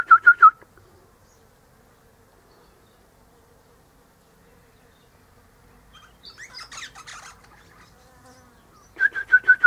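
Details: One morning an Eastern rosella (Platycercus eximius), up high in a hedge and out of the sunshine, with its mate in a nearby pecan tree, chatters: quick bursts of four or five bright piping notes, with softer scratchy chattering between.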